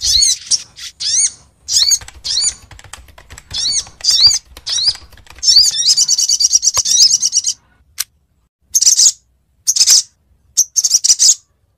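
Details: Female sogok ontong, a sunbird, calling the male in a lure recording from Lumajang: repeated sharp, high chirps at first, then rapid buzzy trilled runs and separate short twitter bursts.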